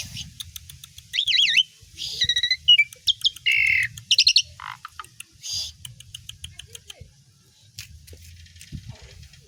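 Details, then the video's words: Asian pied starling singing, used as a training recording for other songbirds: rapid warbled wavering whistles, chattering clicks and buzzy harsh phrases packed into four seconds, followed by quieter scattered notes. "JALAK SUREN GACOR DOR ISIAN"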